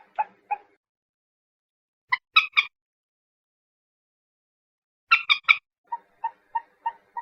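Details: Common moorhen calling: two low harsh notes, then two bursts of three rapid raspy high notes, ending in a run of five short clucking kek notes at even spacing. There is no background noise.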